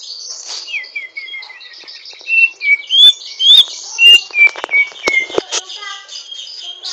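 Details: Greater green leafbird practising its song with rough twittering: high scratchy chatter running into a string of clear rising and falling whistles, several strong notes about every half second near the middle.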